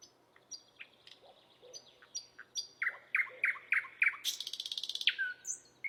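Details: Lovebird chattering with scattered high thin whistles, then a run of loud repeated chirps, a harsh buzzy rattle and a falling squeaky note.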